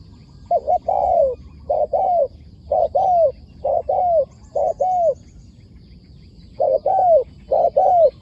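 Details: A wild spotted dove calls back to a decoy bird. It gives a rapid series of mellow phrases, each a short clipped coo followed by a longer descending one, repeated about once a second, pausing briefly before resuming.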